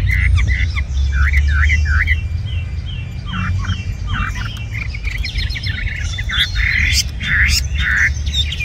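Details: A tame red-whiskered bulbul, noted for singing very well, produces scooping whistled notes and chattering bursts over loud low rumbling noise.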